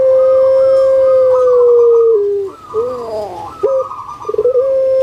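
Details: A long, even, resonant note opens this call of a captive puter pelung spotted dove from Indonesia, sliding down before a burst of rough, rolling coos and a renewed steady tone.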